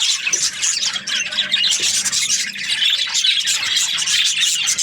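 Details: Group of budgies keeping up a steady, high-pitched warbling chatter, busy overlapping chirps and scratchy squawks throughout.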